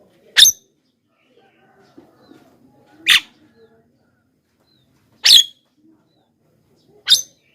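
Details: Javan myna calls for luring wild mynas: four sharp, rasping bursts about two seconds apart, with faint murmuring and clicks between them.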